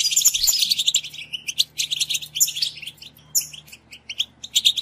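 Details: European goldfinch song meant to motivate caged goldfinches to sing, heard as fast, liquid twittering with bright chirps and brief buzzy notes, pausing briefly before resuming; faint steady low hum underneath.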